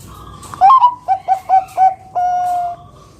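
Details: Zebra dove of the Bangkok type, a loud singer used to lure other doves to sing, delivers a rising first coo, then four quick throbbing notes and a final long level tone, clear and close.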